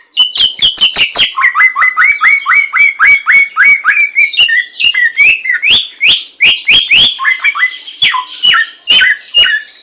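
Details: Wild White-crested Laughingthrush (samyong) singing: loud, rich run of rapid rising whistled notes with sharp clicks and harsher squawky overtones, delivered in a continuous excited burst.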